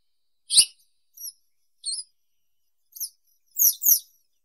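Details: Western yellow wagtail (Motacilla flava) calling with a string of short, high, thin notes that end in two longer slurred descending calls. A brief sharp click is heard early on.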